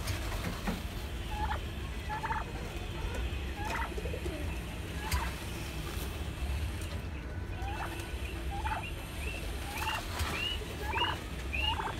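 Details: Turkeys kept on a roof farm give repeated quick, stuttering gobbles throughout, joined later by short upward-sliding higher calls from several birds, against a continuous low droning hum.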